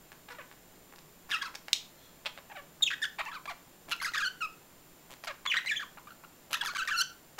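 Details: Budgerigar chatter: scattered squawks and buzzy, broadband chirps in irregular bursts, growing busier toward the end, with a faint background hiss.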